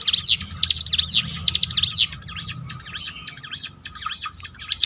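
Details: Bar-winged prinia (mountain ciblek) song for training a bird's mental strength; strong high sweeping zigzag phrases for two seconds, then a fainter, thinner continuation of similar notes with low rumbling background.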